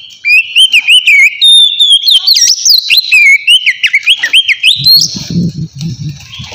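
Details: Relaxed ngeplong song of a white-rumped shama, meant for luring wild birds: a long flowing string of rich whistles rising and dipping, some high sharp accents, ending on a rising note over a low rumble.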